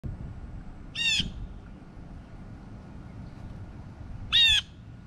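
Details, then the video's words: Blue jay food call, telling other blue jays there is food: two harsh, nasal squawks about three seconds apart, each with a rough, harmonic-rich ring, over a low background hum. "Blue Jay Food Call- Come and Eat"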